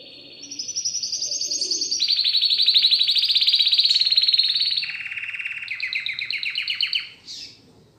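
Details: Pet canary in song training at home delivers a chain of rapid rolling trills, each section shifting to a new pitch level, loud and continuous for about seven seconds, closing with a short upswept note.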